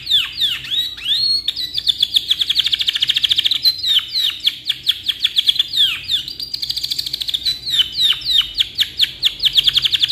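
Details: Canary in full, lively long song used as a master for training birds: continuous high chatter of quick trills and downswept whistled notes, rapid and unbroken for the whole stretch.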